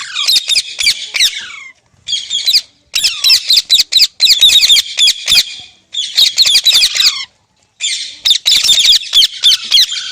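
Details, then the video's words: Green parrot repeating harsh screeching bursts: about five rapid raspy chattering bouts, each a second or two long, with short pauses, some ending in a falling whistle. "Green Parrot Talking Natural Sounds | Mitthu Ki Awaaz | Tote Ki Awaaz"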